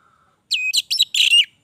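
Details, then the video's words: Orange-headed thrush (anis merah) singing energetically in 'gacor' style: after a faint thin whistle comes a quick burst of rich, warbled, chattering notes and bright slurred whistles, ending abruptly. "Anis merah gacor durasi panjang"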